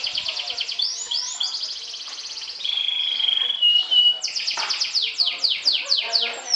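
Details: Atlantic canary, a champion trilling singer, sings to provoke and overcome rivals. Rapid high trills of repeated down-slurred notes give way to a steady whistled tone in mid-phrase, then fast sweeping trills resume.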